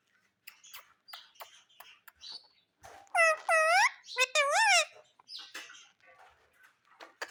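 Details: Happy pet parrot in a small room. Soft clicks and chatter come first, then a burst of loud, harmonic squawks that curve up and down around the middle, followed by more quiet clicking.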